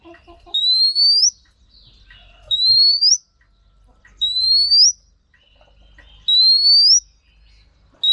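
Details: Female Oriental magpie-robin, kept for training cage birds and rousing males, gives long, clear, upward-sliding whistles, each about three-quarters of a second long, repeated every two seconds or so against a quiet background.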